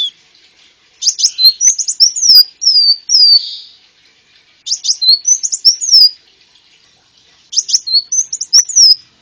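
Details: Sunbird called konin, in a luring and tutor recording: three separate phrases of high, sharp twitters mixed with slurred whistles, each lasting about one to two seconds, separated by longer quiet gaps.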